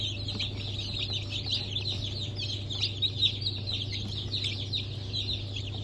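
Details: Newly hatched Brahma and Wyandotte chicks, 4 August 2024, a crowded chorus of high piping chirps running without pause over a faint constant hum.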